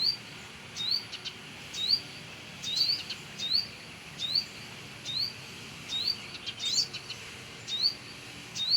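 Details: By its nest in a home area, a Brown-throated sunbird repeats short, sharply rising chirps roughly every second, sometimes doubled, over light background hiss.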